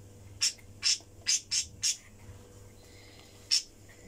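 Budgerigar giving short, sharp, scratchy chirps in a quick run, then one more after a pause.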